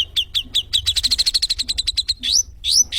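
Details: Sooty-headed bulbul (sogon) song for training cage birds: evenly spaced sharp chirps building into a rapid rattling trill, then two rising whistled sweeps.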